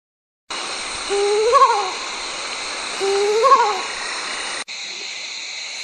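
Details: Mottled wood owl, known locally as kalankozhi: two loud, quavering hoots about two seconds apart, each rising and falling with a tremulous middle, over a steady hiss.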